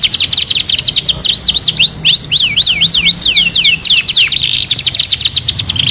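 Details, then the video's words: Caged canary heard on a master training recording of 2-in-1 song: a dense, continuous run of fast high trills and sweeping rising and falling whistled notes, repeated several times a second, with a faint low hum underneath. "MASTERAN KENARI 2 IN 1 | CANARY SINGING"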